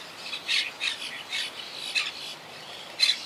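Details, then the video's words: Quaker parakeets in a wild colony that lost about half its members to hurricane Irma in 2017 give a series of hoarse, grating squawks with brief pauses, ending on one loud call. "Yacht Club Colony Retrospective🌴 Clips and Sounds 🦜"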